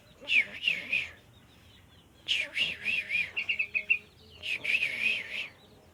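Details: Sooty-headed bulbul, a kept bird, giving three bursts of bubbly, warbling song: rapid rising-and-falling liquid notes strung in phrases of about one second, separated by short pauses, over a quiet background.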